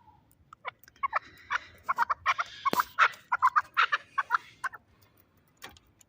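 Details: Irregular clucking chuk calls from a fighting chukar partridge of Shahritus, Tajikistan, with one sharp click midway and short pauses between clusters of notes.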